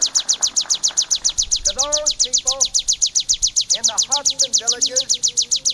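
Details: Training recording of bar-winged prinia song: an unbroken run of sharp, high chips, roughly four each second. Groups of lower, curving, harmonic notes sound in the middle section.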